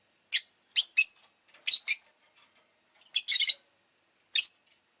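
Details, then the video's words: Rosy-faced lovebird chattering in a series of shrill, buzzy chirps, single and paired, with one longer rasping burst near the end. "Lovebird Chirping Sounds"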